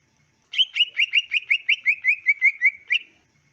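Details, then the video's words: About fourteen quick, evenly spaced whistled notes from a greater green leafbird, slightly falling in pitch over roughly two and a half seconds, heard as training song for pet leafbirds. "MASTERAN SUARA CUCAK IJO ASLI JERNIH CUCAK IJO KAMU LANGSUNG NYAUT DAN NGETROK GACOR"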